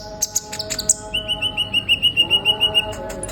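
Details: Sunbird singing in a lively burst: a few scattered high chirps, then an even series of about a dozen quick, clipped notes at a steady pitch, over a faint hum of low tonal lines.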